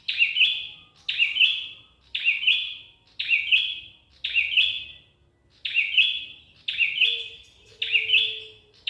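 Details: Prinia known locally as Prenjak Kepala Merah repeats a loud, harsh, buzzy phrase roughly every second, eight times in all. Each phrase has an abrupt start and a trilled tail that trails off. There is one brief pause, and a faint lower whistle-like tone appears near the end.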